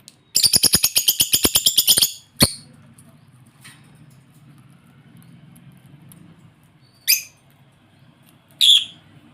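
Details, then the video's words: African lovebirds: a rapid, evenly spaced run of harsh, buzzy harmonic notes for about two seconds, then a lone sharp note and later two brief shrill chirps amid a quiet low hum. "African Love Birds"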